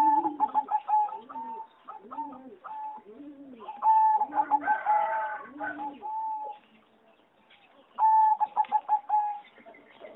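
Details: Competition-bred singing zebra doves in an aviary on 26 April 2014 give quick trilled bursts of clipped coos and sustained level notes, over lower, drooping coos from another bird.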